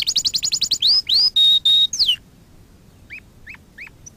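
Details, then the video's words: Song of a canary, played to train canaries: about eight quick bouncing notes, four long clear whistles, then quiet spaced downslurred chips. "Kanarya ötüşü- Kanarya dersi-kanarya coşturma"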